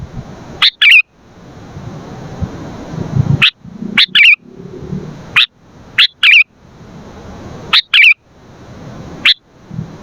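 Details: Vigorous 'gacor' singing of a sooty-headed bulbul, used to lure and train birds: short, bright chip notes in pairs and singles separated by pauses, some ending in a brief twisting warble, over low background rumble.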